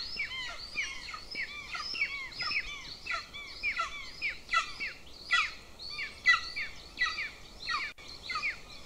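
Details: Golden eagle nestlings, two chicks, begging at breakfast in a nest in Lahemaa, Estonia, 25 June 2024: shrill, piping chirps that slide downward, delivered in quick uneven clusters roughly every second, steady and insistent throughout.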